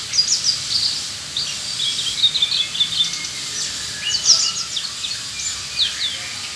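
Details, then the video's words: Australasian bushlark singing energetically: quick, high, thin chirps and short trills come in scattered bursts over a steady hiss of background noise. "Burung beranjangan gacor"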